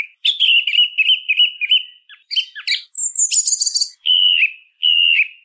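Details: Song thrush sings a rapid warbled run of notes, a high buzzy, scratchy burst, then two separate clear whistles. Only the bird is heard.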